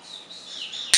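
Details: A pet parrot, a female being clicker-trained to chirp on the cue word "chirp" for treats, gives a thin, high chirp that slides gently downward, followed by a sharp click.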